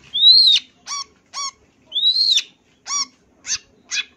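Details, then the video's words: Long-tailed shrike, a champion singer, giving full isian song: two long rising-then-falling whistles, each followed by short, ringing, harmonic-rich notes, then two rougher calls. "MASTERAN SUARA BURUNG CENDET FULL ISIAN CENDET JUARA"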